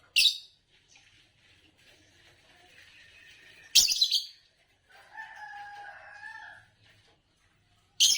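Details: Three sharp, scratchy chirps from a champion green Fischer's lovebird of Indonesian song contests, with softer, lower tonal calls and rustling filling the gaps between.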